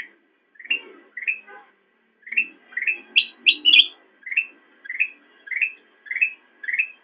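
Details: Black-crested bulbul used as a master singer for training cage birds; repeated short upslurred whistles about every half second, a cluster of higher sharp notes midway, and a faint low rustle.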